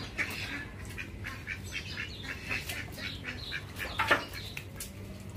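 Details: Ducks calling: a run of short, nasal quack-like bursts at an irregular, fairly quick pace, with a louder pair near the end, over a steady low rumble.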